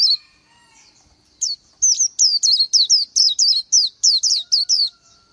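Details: After a quiet start, an Oriental white-eye launches into a brisk series of high, thin, down-slurred chirps, roughly three per second, ending on a soft fade.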